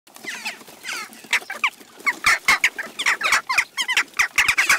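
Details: A flock of Western jackdaws (Coloeus monedula) at a garden feeder in Recke, Germany, on 29 June 2021, gives a rapid, overlapping chatter of short, sharp 'tchak' calls, several every second, with softer squeaky notes mixed in.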